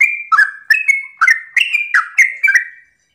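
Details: Sooty-headed bulbul in morning song, the rapid 'ropel' style meant to provoke other bulbuls: seven liquid whistled phrases about every third of a second, some notes held and sliding.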